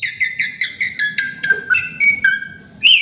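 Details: A string of mellow, rather low whistled notes repeated about five times a second from an Asian pied starling, stepping gradually down in pitch before a brighter final note, part of varied isian song.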